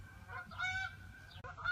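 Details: Geese flying over a garden porch in spring (17 April 2016, afternoon) give a few nasal, brassy honks in quick succession, each a short level blast, over a low outdoor rumble.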